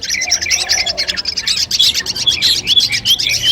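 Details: Contest-training song of a long-tailed shrike, played as a mental test before competing: busy high chattering mixed with short whistled slurs that rise and fall, delivered continuously.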